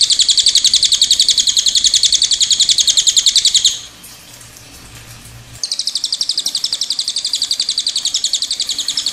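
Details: Cililin delivering its long rolling trill: a rapid, evenly pulsed very high trill held for nearly four seconds, a short near-silent pause with low hum, then the same fast trill resuming.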